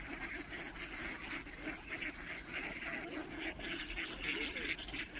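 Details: Mallard ducks swimming and feeding in an unfrozen patch of open water on a mild, drizzly day quack continuously, with rough, overlapping nasal calls about three times a second. Splashing, hiss and faint voices fill the gaps.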